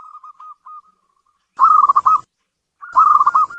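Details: Local zebra dove kept in a house, prized as a bringer of good fortune: a soft series of low cooing notes, then two bursts of rapid, loud, stuttering coos near one pitch.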